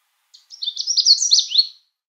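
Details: A Canada warbler on River Road, Essex County, New York, in the Adirondacks on 26 May 2024, sings one quick, jumbled burst of high, varied chattering notes lasting about 1.5 seconds, opening with a soft chip, against a quiet background.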